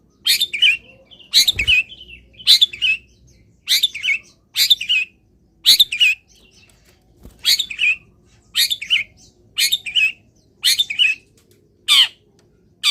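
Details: Long-tailed shrike in a cage, sprayed with water and set in the morning sun, repeats a harsh, downslurred scratchy note about once a second, steady and insistent, with faint background clatter.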